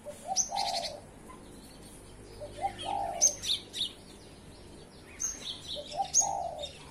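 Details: Morning singing of a cinereous tit, with short high buzzy chirp bursts coming at irregular intervals and soft low cooing repeated in the background.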